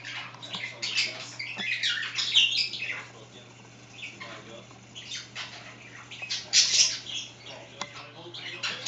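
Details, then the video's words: Pet budgerigars chatting indoors, one scratching at a favourite spot: a long stream of soft, rasping warbles and chirps with brief clicks, over a constant low hum. "Mina undulater snackar och kliar sig"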